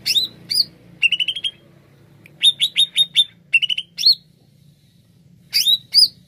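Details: Greater green leafbird, song used to lure birds: fast chattering runs of sharp high notes in short clusters, mixed with upswept whistles, separated by brief pauses, over a faint low hum.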